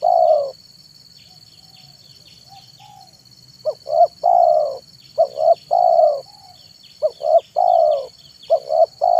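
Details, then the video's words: Afternoon manggung song of a spotted dove used to lure wild doves. A long coo, a quiet pause with faint soft notes, then repeated phrases of two clipped coos and one drawn-out descending coo over a thin constant whine. "SUARA BURUNG TEKUKUR MANGGUNG DI SORE HARI"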